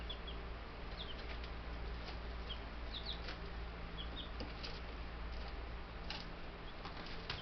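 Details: Ten young Buff Brahma chicks at a homestead bird yard, May 6, 2019, mailed as babies days earlier; scattered high peeps, single and paired, with faint taps and a constant low hum underneath.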